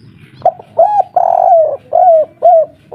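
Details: Local spotted dove calling agitatedly in the kuk 3 style: a series of low, hoarse coos, some drawn out and some clipped, following each other about twice a second.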